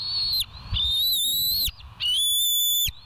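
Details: Bald eagles on a live nature cam at the West End nest, early morning on 07/05/2023: two long, high, thin whistled notes with bright overtones, each held steady with a slight rise, separated by a short pause over low rumbling background.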